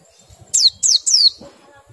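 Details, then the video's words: Three loud, high whistled notes from a white-eye said to be weak in breeding condition, each a fast falling slur, spaced evenly about a quarter second apart. "BUNYI PLECI KURANG BIRAHI atau KURANG KENCENG"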